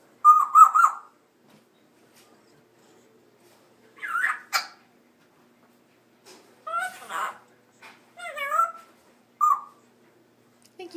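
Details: Thirteen-month-old pet African grey parrot, female, talking indoors: several short bursts of speech-like syllables and whistled phrases separated by silent pauses.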